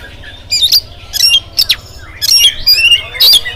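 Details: Oriental magpie-robin morning song, used to set other birds singing: rough bursts mixed with sweeping whistled notes, ending in a longer run of loud rasping phrases.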